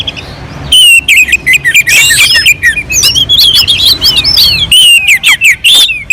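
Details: Mountain-slope orange-headed thrush song meant as a lure to get other birds singing: a quiet start, then a rapid, rich stream of whistled slurs and chirps, some buzzy, nearly unbroken to the end.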